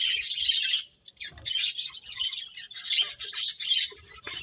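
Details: Playing finches fill the air with continuous high twittering and chirping, dipping briefly near the start before resuming.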